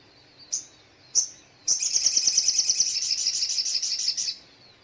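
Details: Morning song of a little spiderhunter: two separate sharp, high notes that slide downward, then a rapid run of about twenty piercing chips lasting over two seconds, loud and clear against a quiet background.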